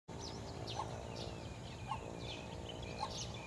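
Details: A coppersmith barbet gives hollow, low tuk notes about once a second, recorded 12 January 2014, with other birds chirping higher and a steady low rumble behind.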